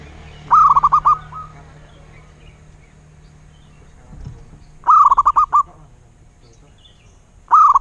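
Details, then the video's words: Local perkutut (zebra dove) singing rolling phrases of quick, pulsed coo notes, the repeats spaced about four seconds apart over a low background hum. "Suara Burung Perkutut LOKAL alam"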